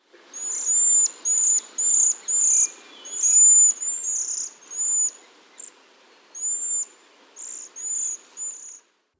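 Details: A flock of Cedar Waxwings gives thin, high, wispy insect-like trills, a dozen or so short buzzy notes over nine seconds, some overlapping as from several birds.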